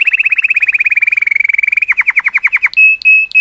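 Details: Canary of the colour type in song to stimulate females: a long fast even trill that slows into separate descending notes, then three drawn-out steady whistles.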